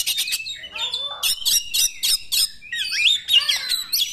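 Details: Oriental magpie-robin song for provoking other magpie-robins to sing, with about three harsh buzzy notes per second followed by twisting whistled slurs and a curling warble at the end.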